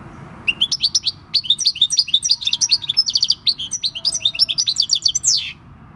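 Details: European goldfinch of six years, caught in the wild, delivering its countryside song on 26 December 2019; a long, dense, fast sequence of high tinkling twitters and trills, finishing with a rising buzzy slur.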